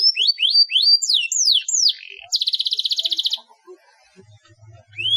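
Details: Canary in full song, meant to stir a quiet canary: a run of rising and falling whistled slurs, then a dense rapid trill that stops abruptly, followed by near silence with faint low thumps.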